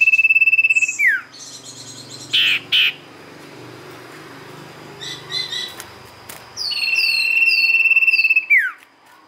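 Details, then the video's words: Sirtu song played as a lure. A rapid, level high trill ends with a falling slur. After a pause filled with soft chirps and a few sharp notes, the same long trill and downward sweep repeat. "pancingan sirtu gacor"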